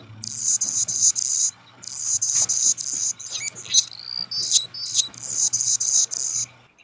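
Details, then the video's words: Anna's hummingbird singing in a backyard: very high, scratchy buzzing phrases in bursts of about a second, with a few thin squeaky notes in the middle; a faint low hum underneath. "hummingbirds have an unmistakable buzzing song that is easy to identify whenever you're around one of them. This is what it sounds like."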